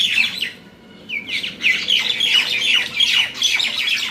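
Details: Common mynas (shalik) fighting at Talepur, Kalatia, Keraniganj, Dhaka, Bangladesh; shrill harsh squawks and falling chattering notes in quick overlapping bursts after a short lull.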